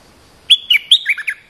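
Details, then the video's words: Lure song of a territorial bulbul that attacks fiercely: one quick burst of six clear whistled notes, the first ones high and sliding, the last ones dropping lower, with a clean, quiet background. "เสียงนกดอกแตงEp.170 จ้าวถิ่นกระโดดใส่อย่างโหด!! Suara pikat merbah lekir gacor"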